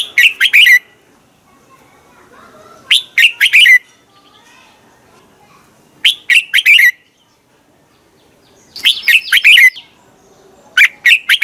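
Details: Red-whiskered bulbul singing at dawn as a lure for training other bulbuls: five cheerful phrases of rapid whistled notes, spaced about three seconds apart, with faint chirps in the pauses.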